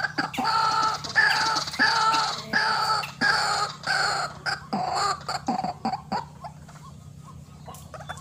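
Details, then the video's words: Vigorous white-breasted waterhen calling, used as a lure for bird trapping: a run of rough, nasal, harmonic croaks repeated roughly every half second, gradually giving way to softer clicking notes and then quiet. "RUAK RUAK GACOR GANAS"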